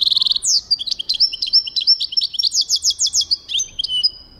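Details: Goldfinch song recorded in 2023: a lively, continuous stream of high, liquid twitters and quick rolling trills, notes tumbling rapidly with a few sweeping slurred chirps near the end, little background noise.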